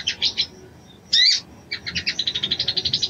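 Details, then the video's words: Female crimson sunbird calling to stir a male into mating. A few high chips, then one loud rising squeaky note, then a long, evenly spaced run of quick high chips that speeds slightly toward the end. "SOGON BETINA MEMANGGIL JANTAN‼️SANGAT AMPUH MERANGSANG BIRAHI SOGON JANTAN"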